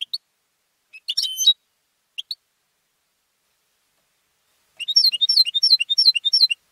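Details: European goldfinch trained for singing competitions: scattered chips and a tinkling whistled phrase, then a long fast run of rhythmic repeated twitters at about three per second.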